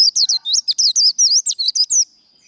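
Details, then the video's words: Japanese white-eye, 'líu đấu' fighting-style song: a two-second burst of very fast, high, slurred and looping notes, sharp and bright, ending abruptly into quiet. "Vành khuyên líu đấu"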